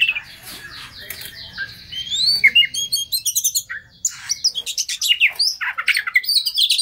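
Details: Oriental magpie-robin lure song to coax a stressed bird into singing: soft murky opening with background hiss, then increasingly loud fast chirps and whistled phrases.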